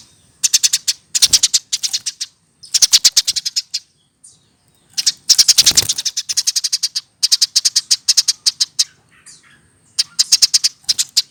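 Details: Hand-reared Eurasian tree sparrow over one year old, kept as a cage bird, singing vigorously: bursts of rapid, sharp, high chirps, about eight to ten in each quick run, separated by short pauses, with occasional harsher broadband notes.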